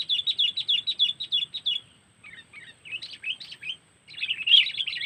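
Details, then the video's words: Sooty-headed bulbul (kutilang) call in the cengkeram style, played as a lure for trapping birds in Lampung: a fast run of bright chirped notes, about three a second, then softer broken twittering and a renewed burst. "Pikat Burung Kutilang Cengkeram"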